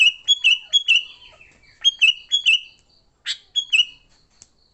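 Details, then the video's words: Sooty-headed bulbul in fighting song, a lure for other bulbuls: rapid bursts of clear whistled notes, each falling into a slurred tail, repeated in quick groups with a short harsh note, steady thin hum behind. "Suara Burung Kutilang Gacor TARUNG Tanpa isian, Ampuh untuk pikat Kutilang jadikan Kutilang ribut."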